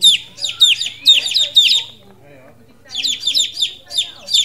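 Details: Many two-day-old domestic chicks, feathers dry, newly moved together into a brooding pen, give shrill downward-sliding peeps in quick overlapping bursts. The peeping pauses briefly in the middle and then resumes.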